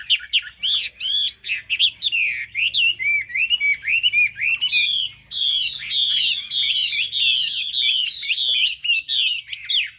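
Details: Chinese hwamei, yellow-billed and with a fig-leaf-shaped tail, in long, loud song. Looping whistles and quick high trills give way to a rolling sequence of repeated down-slurred phrases.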